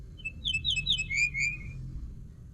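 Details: A single phrase of common linnet song: bright clipped notes tumble quickly before settling into a long, smooth whistle that drifts downward. Steady low background hum throughout.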